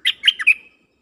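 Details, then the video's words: Dok taeng bird kept as a decoy, singing to call in wild birds. One short phrase of four or five quick, rich chirping notes that rise and fall, ending in a thin trailing whistle. The background is otherwise quiet. "เสียงนกดอกแตงEp.132นกต่อจ้าวขันเงิน เปิดดอกเรียกนกป่า เพลงเพราะน่าฟัง"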